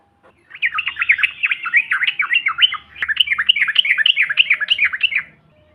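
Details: Yellow-vented bulbuls calling as a provoking lure: two long, continuous runs of rapid, scratchy chattering notes sweeping up and down, separated by a short break, with a quiet background.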